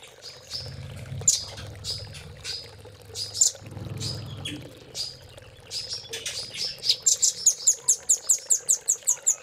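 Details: Velvet-fronted nuthatch training song: scattered shrill notes over a low background murmur, building at the end into an accelerating run of sharp, evenly spaced high chips.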